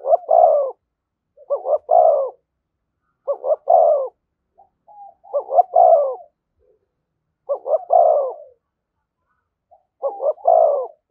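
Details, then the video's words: Spotted dove singing thúc gù near a decoy bird. Clean, evenly spaced phrases, each a quick double hoot and a rounder, deeper coo, come roughly every two seconds. Little else is heard between them. "Tiếng chim cu gáy THÚC GÙ giọng hay với sát bổi"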